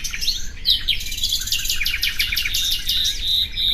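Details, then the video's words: Nightingale singing in a fast burst of buzzy trills and high repeated notes that run together continuously, with a faint low background hum. "Bülbül sesi"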